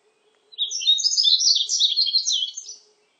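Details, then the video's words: Yellow-throated bunting recorded in 2020: one rapid, high-pitched twittering phrase of jumbled chirps and trills lasting over two seconds, with a faint low hum and otherwise silent background. "노랑턱멧새, 여러번 듣기, 곤충소리, 새소리"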